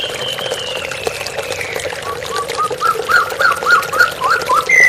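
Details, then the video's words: White-rumped shama over running water: one long whistle slowly sliding downward, followed by a quick string of about eight similar short notes and a final higher note. "TERAPI MURAI BATU Stres Macet Langsung pulih _ Terapi Murai Dengan Suara Air Mengalir"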